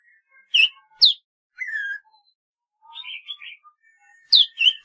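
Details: Golden-fronted leafbird song of loud downslurred chirps, a drawn-out falling whistle, a bubbling warbled phrase, then a fresh burst of rapid chirps.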